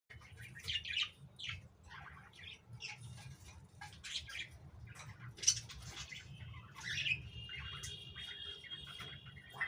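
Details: A pair of lories chattering while eating apple: scattered short chirps and squawks, some buzzy bursts and a brief steady whistled tone, over a low constant hum.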